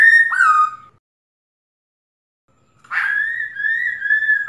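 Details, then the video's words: A female black-throated laughingthrush, recorded to excite males into singing, gives two clear, rich whistles: a short downslurred note, a pause, then a long, wavering whistle. "Tiếng khướu mái ro ro kích bổi cực nhạy"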